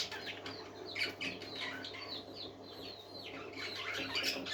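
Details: Several happy parakeets singing together in soft, continuous chatter of short, overlapping chirps and slurred notes, fairly quiet, with a steady low hum underneath.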